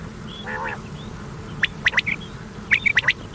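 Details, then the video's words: Common quail call from an old cassette recording meant to be played through the night: two bursts of three sharp, quick, clipped notes, after an earlier short harsh squawk, over steady tape hiss. "Common Quail Sound | Batair ki awaz"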